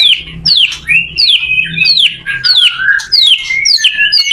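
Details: White-rumped shama singing to help other shamas learn: a series of sharp downward-sweeping whistles alternating with lower slurred notes, with faint low hum beneath.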